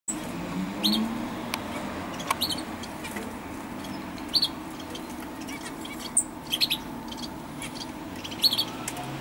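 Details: Great tit (Parus major) calling on 14 October 2012: short, high chips at irregular intervals, about six in nine seconds, over a steady low background hum.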